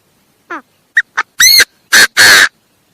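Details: A Chinese francolin's harsh call phrase: a faint falling note, two brief ticks, then three loud grating notes. The final note is longest, ending abruptly in clean silence.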